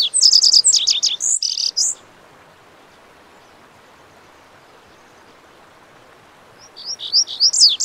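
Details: Lazuli bunting, a western North American songbird of shrubby hillsides, sings a quick run of high, bright paired notes and buzzy slurs for two seconds, then pauses before starting another sweet phrase.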